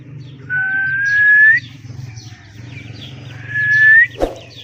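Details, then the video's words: Indian ringneck parakeet giving two long, smooth, slowly rising whistles, each about a second long and separated by a pause, over a low steady hum, with a sharp click near the end. "Indian Ringneck parrot Talking Natural Voice parrot sounds Tota ki awaz Mithu ki awaz"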